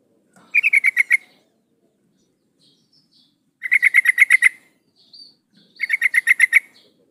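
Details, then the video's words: Female sooty-headed bulbul calling to a male, used as a lure: three bursts of quick, regular chattering notes, seven to eleven each, with a faint soft note between the bursts. "suara burung trucuk betina memanggil jantan"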